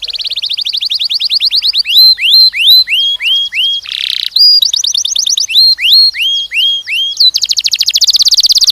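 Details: Young canary song from a mating training session for males and females: loud high trills of rapid repeated notes alternating with slower rising-then-falling whistled phrases, with a brief harsh buzzy burst midway.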